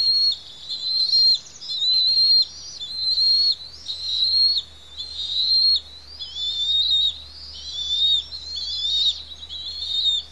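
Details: Shrill whistled cries repeated almost every second from two young Bald Eagles as parents feed them on the Pelican Harbor nest, Santa Cruz Island; notes waver and sometimes overlap near the end.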